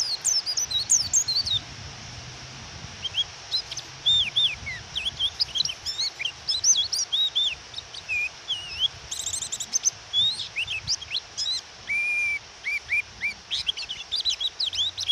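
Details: Female pleci white-eye calling to provoke a male to sing, with rain: a long, varied stream of high twittering chirps and slurs, some lower whistled notes, busy clusters and brief gaps, over steady rain hiss.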